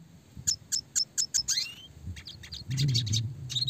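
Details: Red siskin in classic gacor song style, clear roll-and-shoot delivery used as a training model for small fighter songbirds: a run of six sharp high chirps, then a rising buzzy sweep and scattered twittering over a low rumbling background.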